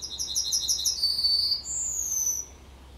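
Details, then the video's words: Yellowhammer singing at the edge of Kabaty forest: a quick run of about eight high, repeated buzzy notes, followed by a drawn-out, slurred closing note and then a thin, higher held tone, set against quiet background hiss. "Trznadel śpiewa na skraju lasu Kabackiego"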